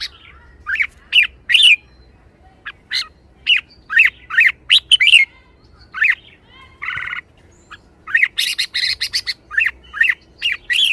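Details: Red-whiskered bulbul in high spirits sings long runs of sharp, slurred whistles and chirps, broken by a short harsh buzz midway, then a dense chattering flurry of notes.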